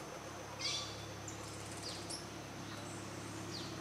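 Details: At 600 m elevation west of Otavalo, Ecuador, an Olivaceous piculet, a twig-foraging dwarf woodpecker, gives a few thin, high, sharp notes and brief downslurred squeaks over a steady insect whine and low background hum.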